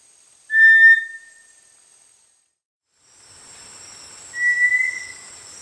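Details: Small dark, entirely brownish-gray tinamou of tropical lowland rainforest understory, near streams and dense undergrowth: a short flat whistle with a faint tail, then a second, weaker flat whistle about four seconds later over light hiss.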